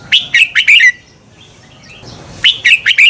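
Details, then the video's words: Red-whiskered bulbul singing as a decoy to spur birds into song contests: quick series of four clear, downward-sliding whistled notes, a short pause with soft twitters, then another similar run. "Luyện chào mào hót sáng Giọng xoắn kép hay KÍCH CHIM CĂNG HÓT ĐẤU"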